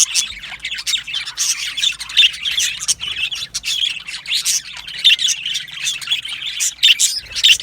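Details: Male budgerigars, yellow in colour, produce a lively stream of rasping squawks and bright chirps, many birds calling at once with sharp peaks scattered through.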